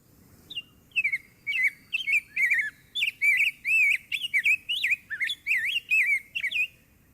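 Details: Rose-breasted Grosbeak singing a rich, sweet warbled song of quick looping whistled phrases, often compared to the American Robin's but smoother and more liquid, running steadily for several seconds.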